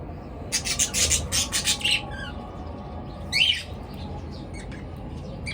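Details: Pet birds in the morning give a quick series of about six harsh squawking chirps in a row, then a quieter gap, one louder buzzy squawk and faint tweets over a low hum.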